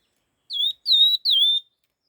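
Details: A red-tailed laughingthrush gives three quick bright whistles in its fast stimulating song, each note a downward slur that settles and holds, clean and free of other sound.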